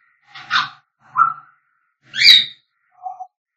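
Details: African grey parrot singing: a rough squawk, a soft mid-pitched whistle, a loud bright raspy call and a short low whistled note.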